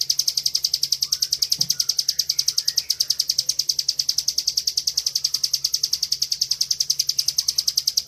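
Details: Bar-winged prinia (ciblek) delivering 'ngebren' master training song: long, relentless stream of high, pulsing chips, roughly three or four per second, with faint background noise.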